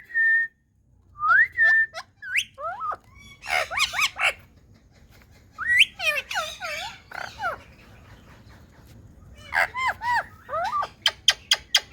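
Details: Indian talking parrot heard in a series of short varied vocal bursts, whistled rising notes and harsh squawky syllables, some with speech-like harmonic sweeps, ending in rapid sharp chirps.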